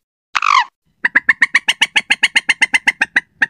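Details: Slaty-breasted rail, a lure recording for night use: one drawn-out harsh squeal, then a fast even run of about fifteen sharp, dry clicking notes, several per second, on a silent background.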